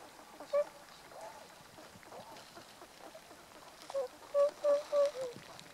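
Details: Tundra swan calls recorded 1 January 2014: an isolated honking note, then a quick run of four or five loud, short, nasal honks near the end, against low murmuring flock noise.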